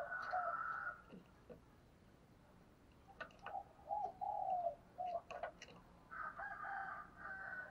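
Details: Decoy spotted dove calling to stir up and provoke rivals: a short series of low, soft coos with brief gaps, set between louder rooster crowing at the start and end, over steady background hiss.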